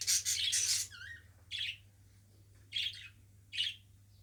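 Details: Pet Australian budgerigar opening with a burst of shrill squeaky chatter and a short whistled upslur, followed by three isolated chirps spaced about a second apart, against a low steady hum.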